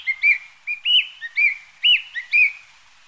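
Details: Quick repeated whistles from a Narcissus flycatcher, a migrant that stays only briefly, each a clear note with a higher inflected overtone, coming about twice a second over faint background hiss.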